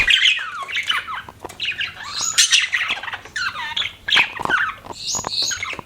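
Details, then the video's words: Budgie chirping with a varied warble of rising and falling whistled squeaks and scratchy notes, delivered in rapid, uneven phrases. "BUDGIES CHIRPING SOUND"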